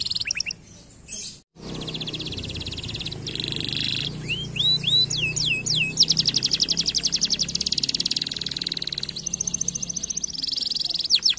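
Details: Canary singing to stimulate lazy canaries: after a short gap, dense buzzy trills, a series of swooping whistles, then long fast rolling tours with varied pitch.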